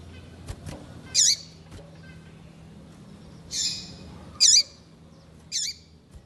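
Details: Very vocal female double-collared seedeater used to warm up a male: four high, clipped chirps with a dropping buzzy tail, about one each second or so, over faint hum and clicks.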